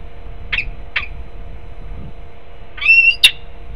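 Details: Peregrine falcon at a nest in Harrisburg, Pennsylvania, recorded 20 December 2020: two short harsh notes, then a louder drawn-out tonal whine ending in a sharp click, over a steady electrical hum.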